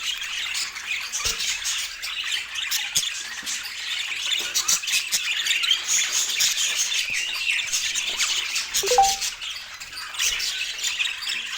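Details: Budgerigars kept as pets fill the room with steady, overlapping warbling and sharp twittering chirps, a busy high-pitched chatter running throughout with a few louder squeaks.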